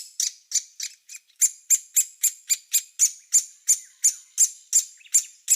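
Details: Great spotted woodpecker giving sharp, high, clicky single notes in a steady series of about three per second, each note short and abrupt, with no other sounds behind.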